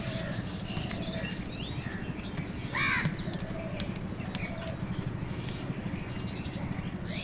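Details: Crow fighting with wild birds for food: one loud, harsh, stacked caw near the middle. Around it are scattered thin chirps of other birds over a steady low engine-like rumble.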